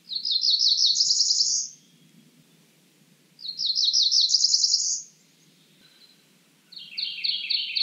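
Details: Cerulean warbler singing quick series of high buzzy notes that climb upward and end in a rising trill, phrases roughly every three seconds, faint low rumble underneath.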